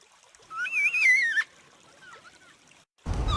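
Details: One wavering, quavering wail from a yellow-tailed black cockatoo, a bird that calls to communicate with its group of four or five. A faint, softer cry follows, then a burst of noise at the end.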